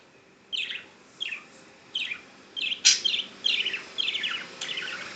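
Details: A happy two-year-old female budgerigar in Chandigarh, India, repeatedly says her own name, giving a run of short, scratchy chirps and warbles about every half second.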